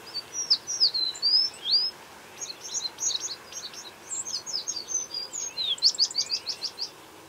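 American Tree Sparrow: a high, sweet jumble of slurred whistles and quick tinkling notes, rising and falling, ending in a faster run of bright chips.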